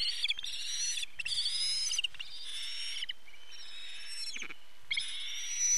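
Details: Osprey at the nest as the male arrives with a fish in September 2019: drawn-out whistled cries in several long bursts, with low thumps and rustling between them.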